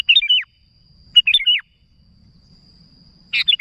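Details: Sooty-headed bulbul calling to companions, repeating a bright bubbling phrase of fluty, downward-sliding notes about every second, then starting it again after a pause.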